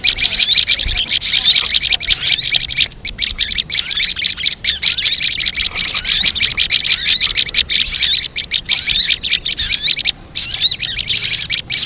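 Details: Leafbird calling as a lure for trapping: a long, unbroken stream of shrill, rapid chattering notes with scattered whistled slides and only a few brief breaks.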